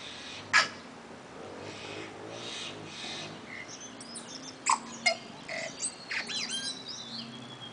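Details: Tui pair in an Auckland back yard, New Zealand, singing: scattered sharp clicks and short bright notes, then a run of rapid high metallic twangs and warbled phrases near the end, with quiet background hum.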